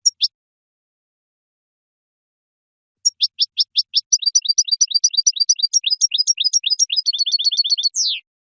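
Goldfinch song: a few spaced high chirps, then a fast, bright twittering run of about thirty notes, ending in a downslurred note. No other sounds.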